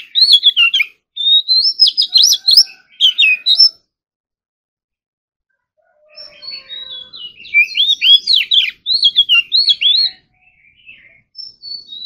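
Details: Morning singing practice of an Oriental magpie-robin: rapid, loud whistled phrases with sharp clicks, a long quiet gap, then a soft warble swelling into bright, twisting whistles and faint trailing notes.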